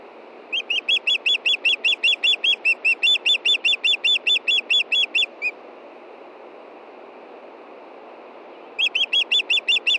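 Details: Female osprey, Montana, 22 June 2013 at 9:53 p.m., calling before dark for her fishing mate to bring food: a long rapid series of about twenty-five shrill whistles, a three-second pause, then a fresh burst of about seven.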